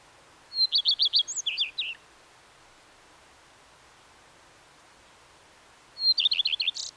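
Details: Common redstart repeating its song twice, each time a thin introductory note and a rapid series of ringing notes, the first phrase ending in lower jumbled twitters, separated by about four seconds of silence.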